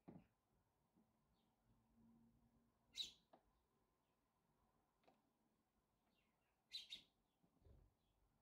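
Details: House sparrows at a morning feed give two sharp, bright chirps about four seconds apart, separated by quiet, with soft low thumps and faint rustling in between.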